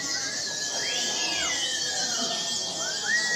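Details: Kept white-eye missing half of its wing feathers, still singing at full strength: a dense, continuous high twittering with sliding whistled notes that rise and fall, plus a steady faint tone.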